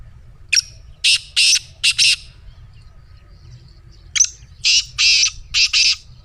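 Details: Black francolin giving its harsh, grating call, aimed at getting a pet francolin to call: two phrases, each a sharp opening note followed by loud rasping notes in pairs, with a short quiet pause between.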